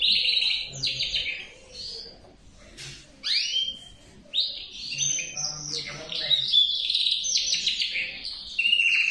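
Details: Male canary delivering bursts of song separated by short pauses: chattering trills, sharp rising swoops, then a long run of rapid rolling notes with faint low background sounds.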